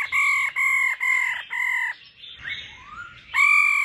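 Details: Female laughing thrush calling to spur singing. Four loud, clear, ringing notes come in quick succession, followed by a softer, slurred rising whistle. Another strong ringing note starts at the end.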